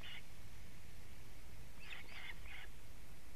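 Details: Osprey at a Latvian nest, evening of 19 July 2017, alarm calling as the male delivers a living fish: one short high yelp, then three quick sharp notes, over steady outdoor hiss.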